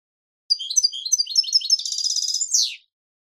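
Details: European goldfinch song from a Pepe Reyes song recording: a dense run of high, rapid twittering notes with trills, ending in a buzzy descending phrase; background silent.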